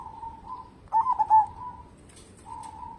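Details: Local zebra dove in active song, used as a lure for other birds: one bright rolling coo phrase framed by softer, steady cooing notes, with a brief high faint hiss near the end.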